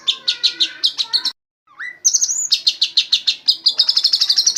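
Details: Training song of an Oriental magpie-robin copying white-rumped shama: rapid sharp high chips repeated in runs, a brief pause, a rising whistle, then a fast accelerating trill of bright notes.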